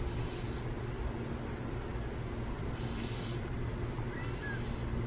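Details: Near San Jose, three harsh, hissing rasps from burrowing owls, separated by quiet gaps of a second or more, with low traffic rumble throughout.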